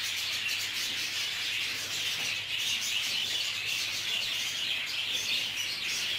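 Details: Loud, unbroken high-pitched chattering from many budgerigars in a group aviary during a real clash, a busy tangle of squeaky chirps and warbles over a constant low drone.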